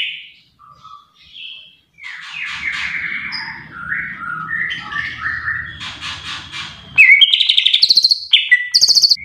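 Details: Greater green leafbird singing energetically, mixing soft whistled slurs, scratchy chattered phrases and, near the end, loud rapid clicking notes alternating with high sharp whistles; low hum underneath in the middle.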